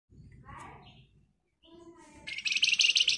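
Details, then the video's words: Flamboyan in dense, rapid 'ngebren rapat nyerecet' song, used as a lure so other birds answer. Human talking comes first, then a loud, high, fast buzzy trill closes the recording. "Flamboyan Gacor Emosi Ngebren Rapat Nyerecet Cocok buat Pancingan agar cepat Nyaut"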